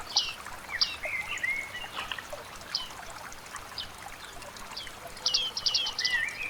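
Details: Bearded reedlings moving through dense wetland reeds, giving irregular high pinging calls, some in quick clusters, with occasional lower sliding notes and a busy burst of calls near the end, over steady soft hiss.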